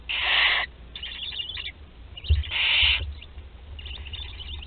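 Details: Lone barn owl nestling at Théding, France, in late July 2020: two loud, rough hissing screeches with softer, scratchy rasping between them and a low knock.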